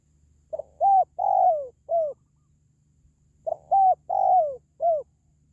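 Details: Spotted dove calling, used to raise the spirit of caged pet doves or to attract wild birds. Two matching four-note coo phrases about three seconds apart, the third note long and drooping, the last short and falling.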